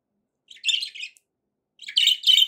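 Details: Pet budgerigar chatter: a half-second buzzy, twittering phrase, a pause, then a louder, denser warbled stretch running to the end, all high-pitched.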